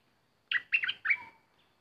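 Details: Bulbul serving as a decoy while an uninvited intruder appears. A single clear phrase of three quick, mellow, bubbling notes, the last drawn into a long, thin whistle, with a faint lower tone underneath.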